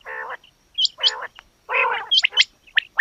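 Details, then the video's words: Female quail giving harsh, buzzy nasal bursts that alternate with short, sharp high-pitched chirps and hooked whistled notes, in an irregular sequence. "Batair Ki Awaz Quail Sounds bedana ovozi Bedana makiyon bedana sayrashi bedana sayroqi"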